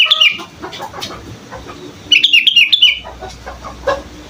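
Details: A young sooty-headed bulbul learning to sing gives a short run of bright, slurred whistled notes midway, with scattered softer chirps and low clucking sounds around it.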